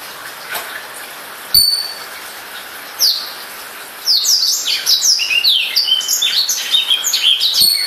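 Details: Newly bought caged black-throated canary giving a couple of isolated high chirps, then breaking after a few seconds into a quick, dense run of sweeping whistled notes.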